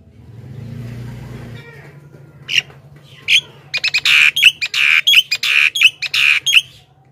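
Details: Javan myna song played to lure wild mynas and prompt other mynas to reply: after a low hum, a fast run of harsh, squawky chattering notes in irregular bursts, about five per second.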